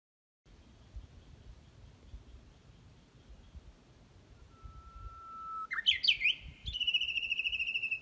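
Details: Unseen Japanese bush warbler singing: a long, steady, low whistled note, then a quick rising and falling flourish that breaks into a bright, rapid, buzzy trill held to the end, over faint background hiss.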